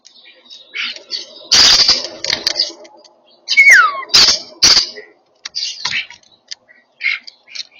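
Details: European starlings, while eating, give harsh, rasping bursts and chatter, with a clear whistle that slides downward, in irregular bursts separated by short pauses.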